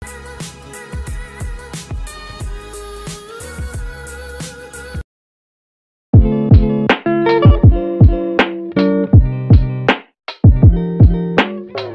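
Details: Plucked guitar and drum-machine music with steady beats, a silent gap near five seconds, and no animal sound.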